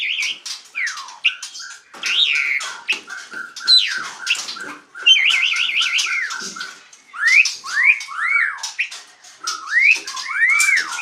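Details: Asian pied starling singing fluently in the 'ngaruda' style, mixing harsh squawks and chatter with loud rising and falling whistles, including a fast wavering trill. Phrases run continuously with brief gaps.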